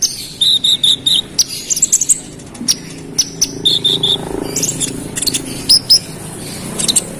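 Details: Konin, or olive-backed sunbird, sings a relentless rival-baiting song: evenly spaced trilled whistled notes repeated about every third of a second, followed by scattered sharp chips and short high whistles, with a quiet indoor hum behind.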